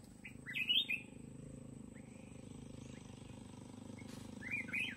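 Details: A red-whiskered bulbul is used as a decoy in a fight trap for mountain bulbuls, giving two short, bubbly, whistled phrases about four seconds apart over a steady low engine-like hum.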